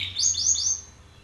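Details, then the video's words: Brief burst from a Belgian canary singing at another male: a few quick upward-flicking high whistles run together, then fading away. "Canário belga BRAVO CANTANDO FORTE na cara de outro macho"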